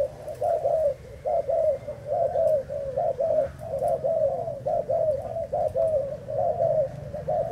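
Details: Recorded 11 August 2018, a Thai-line spotted dove repeats soft low coos about once a second in an even, rolling series, with faint background hum.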